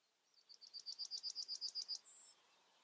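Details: Yellowhammer, probably filmed near the Eifel, Germany, sings a quick, even run of about a dozen thin, high notes, then ends on a drawn-out, higher whistled note, over faint background hiss.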